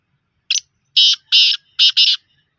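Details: Black francolin giving its rasping call: a short clipped opening note, then four harsh, buzzy, grating notes in two pairs, the whole phrase lasting about one and a half seconds, over a quiet background.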